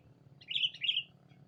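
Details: Rival-calling lure of a sooty-headed bulbul. A short, bright double note, bubbly and liquid, stands out over a steady low-pitched drone.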